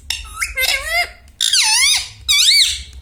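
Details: Pet parrot talking indoors; the bird reportedly says mummy, papa and radhe radhe. A run of three nasal, speech-like phrases with swooping, wavering pitch, separated by brief gaps.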